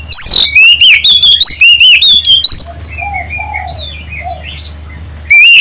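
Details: Oriental magpie-robin song used as a lure to provoke other birds into singing: loud, strident whistled notes around mid-high pitch repeated rapidly for over two seconds, then softer scattered chirps from other birds with a low steady hum underneath.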